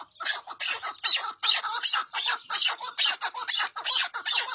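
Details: Chukar partridge call: a fast run of hoarse, bright chattering notes, steadily repeated around two or three per second, strong and close.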